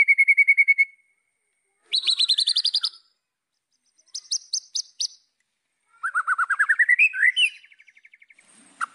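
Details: White-rumped shama song aimed at rivals: a quick steady trill, a buzzy high rattle, short sharp high notes, then a long rapid trill rising in pitch and ending in a softer even run.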